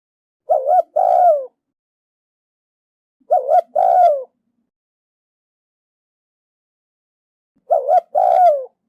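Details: Spotted dove hen cooing to excite a male, soft low double-note phrases with a brief wavering opening and drawn-out falling second note, three phrases spaced about three to four seconds apart in silence.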